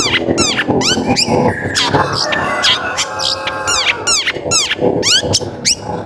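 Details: Long-tailed shrike singing vigorously as a lure to get other shrikes singing: a rapid stream of sharp, downslurred ringing notes, with a steady held tone running underneath partway through.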